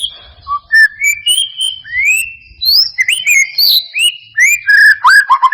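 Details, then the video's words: White-rumped shama singing as a lure for a bird that will not sing, with clear whistled notes sliding up and down, some long rising slurs and quick sharp chirps in a varied, musical sequence. "Pancingan murai batu mancet bunyi ‼️ pancingan murai batu males bunyi‼️respon cepat"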